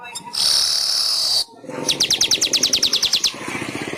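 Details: Weaver song recorded as training material for pet birds: a sustained harsh hissing buzz, a short pause, then a quick rattling trill of about fifteen sharp ticks.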